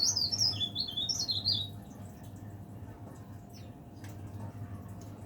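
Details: Caged leaf warbler delivering one brisk high twittering phrase of rapid up-and-down notes lasting under two seconds, then near silence with a couple of faint clicks and a low steady hum.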